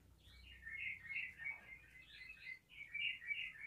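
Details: Sooty-headed bulbul of the 'garuda' kind singing to spur other bulbuls: continuous rambling warbled notes, rising and falling, heard further off over a low background hum.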